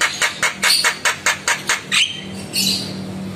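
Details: ["Javan myna reacting to another myna's lure sound. It gives about nine harsh, grating squawks in a fast, even sequence, then a softer drawn-out rasp, over a steady low hum."]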